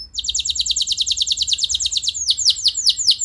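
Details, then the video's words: Canary rolling song meant to trigger other canaries to reply: a fast, steady buzzy trill of tight descending notes for two seconds, shifting to slower, deeper swooping whistles. "Bakal Bikin Emosi Burung Kenari Lain Langsung Nyaut Gacor Ngeroll Panjang"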